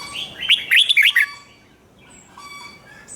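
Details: Red-whiskered bulbul kept as a cage bird, in a 'rik' doubled-song style used to teach young birds: a bright, bubbling phrase of rapid up-and-down notes, then quieter distant chirps and whistles from other birds.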